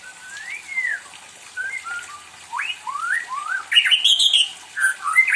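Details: Affectionate pet white-rumped shama singing constantly while wanting company: clear varied whistled phrases, slurred rising and falling notes, then a burst of harsher chattering notes followed by more bright whistles.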